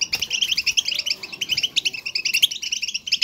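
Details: European goldfinch twittering in the style called batbata, played to stimulate a pet goldfinch to sing: a dense, fast run of bright, chirpy, tinkling notes repeated with barely a pause for over three seconds.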